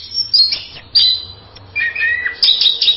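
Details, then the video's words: Orange-headed thrush (anis merah) in masteran song: short bright whistled phrases high up, one at the start, another near one second, then a lower warbled run and a final burst of sharp high notes, over a faint low hum. "Berbagai kicau burung anis masteran."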